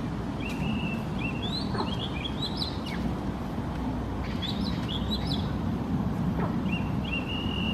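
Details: An Oriental magpie-robin in Singapore sings short, varied phrases of clear whistles and slurred notes, with brief pauses, over a steady low rumble of distant traffic.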